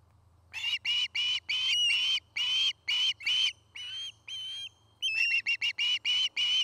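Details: Osprey of a nest-building pair in Charlo, Montana, recorded on a nest cam, 09-05-2018: a long string of loud whistled calls, some with a downward twist, a brief softer thinner pair of notes, then rapid piping chirps resuming.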